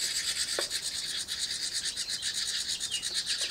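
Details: House wren nestlings in a birdbox beg as a parent brings food: a loud, continuous raspy buzzing chorus of rapid pulses, high-pitched and unbroken for the whole stretch, with a brief lower chirp near the start.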